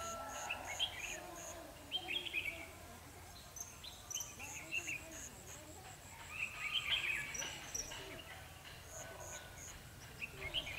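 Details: Red-whiskered bulbul fighting song from a trapping session with a lure bird, 21/12/2015. Clustered bright, bubbling phrases are repeated every few seconds over a continuous high-pitched insect drone and faint low rumble.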